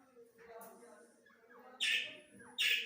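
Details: Grey francolin (teetar, Dakni type) during a breeding session: two loud, harsh, scratchy bursts about a second apart, with quieter murmuring and faint low sounds between them.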